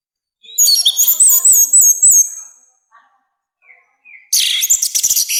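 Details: Orange-headed thrush singing loudly with a harsh voice, a recording meant for training and provoking other birds: a dense burst of high, fast, varied twittering and looping whistles, a quiet gap with soft notes, then another rich burst starts.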